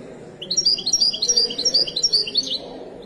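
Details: Moroccan Widani goldfinch delivering a continuous two-second stream of high, lively, alternating twitters and trills over faint low background noise.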